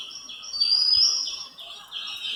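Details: Oriental magpie-robin family feeding in the morning sun after a walk in Mahadevwadi: a sweet, high whistle, a clear rising note over a run of quick slurred phrases, repeated several times a second.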